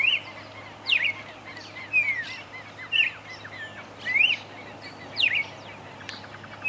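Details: Red-crested cardinal in Esperanza, Santa Fe, Argentina, 2022, while feeding on sorghum, mulberries and seeds; short bright slurred call notes, rising and falling, repeated about once per second above a constant low background hum.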